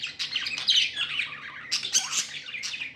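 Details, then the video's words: Pet budgerigars, called happy, squawk and chirp in a short dense burst of raspy, high twittering with a few sharp clicks. "Happy budgies chirping sounds"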